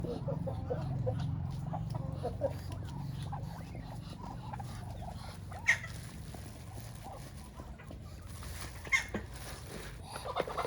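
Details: Farm ducks and chickens, described as quacking and clucking in their natural setting; soft, irregular clucks scattered over a steady low rumbling hum, with a few sharper, louder notes near the middle and toward the end.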